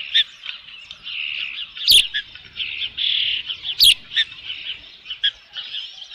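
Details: Osprey at a nest with a fish, Dunrovin Ranch, 3 June 2018, about 5 PM: continuous soft high chirps and whistles with slightly louder notes every second or two and two sharp knocks.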